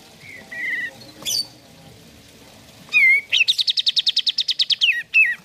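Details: Sooty-headed bulbul singing, played to coax caged birds into song: faint short whistles, a sharp slurred note, a rapid high trill, then a few downward-slurred whistles.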